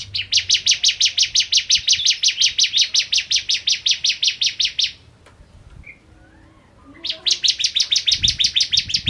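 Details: Bar-winged prinia singing eagerly, a long fast train of sharp, dry, high repeated notes lasting nearly five seconds, then a quiet gap with soft distant chirps before another rapid burst; a low thump is near the end.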